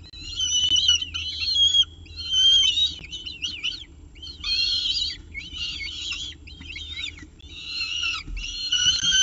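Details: Peregrine falcon with pigeon prey at a nest at CSU Orange, 7:59 am on 24 October 2018. Repeated bursts of harsh, nasal wailing calls come about once a second. Each burst has wavering, bending notes, with quiet pauses between bursts.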